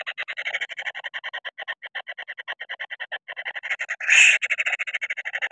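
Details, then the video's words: Noisy, quick-tempered kingfisher chick, described as flaring up when touched: a rapid train of harsh, buzzy pulses, about ten per second, running continuously, with one louder grating burst partway through. "Anak Burung Paling Berisik Mudah Marah, Senggol Ngamuk"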